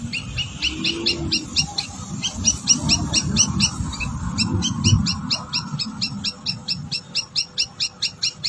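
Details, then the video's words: A wild rufous-tailed robin, competing in song with caged birds, sings a fast, high run of repeated short notes, about two per second, over a low rumbling background that fades after five seconds. "Rufous-tailed robin Birds,Outer birds compete with birds in cages"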